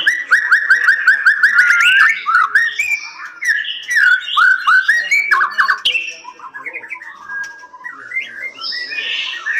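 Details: Captive-bred white-rumped shama pours out a rich song of rapid repeated whistles, slurred fluty phrases and chattering notes, turning softer and more scratchy toward the end.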